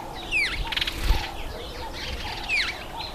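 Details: Red-faced mousebird at a birdbath, two loud descending whistles about two seconds apart, with wing flutters, splashy rustling and short mid-pitched chirps from other birds in between.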